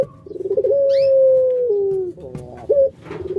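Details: A captive puter pelung dove gives a long, low, steady coo sliding gently downward for over a second, then a short clipped coo; faint high chirp behind.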